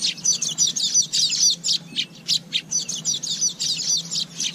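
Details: Asian golden weaver song: a busy, wheezy chatter of dry buzzes and scratchy twitters, delivered in quick bursts, with a faint low hum running underneath.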